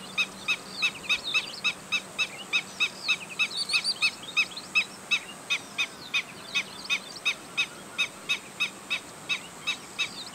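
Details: Run of piping kek notes from a Black-winged stilt, about three per second with uneven spacing, while other birds add scattered whistles and twitters.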